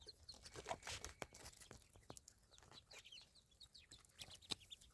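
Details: Ducklings giving thin, high peeps in quick irregular bursts, mixed with sharp clicks and scuffling sounds of movement close by.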